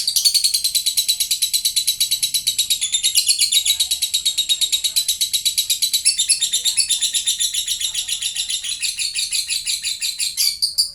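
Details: High, trilling lovebird chatter, played to make other lovebirds answer. Rapid buzzy pulses run nonstop for about eleven seconds, loudest at the start and becoming more varied and broken near the end.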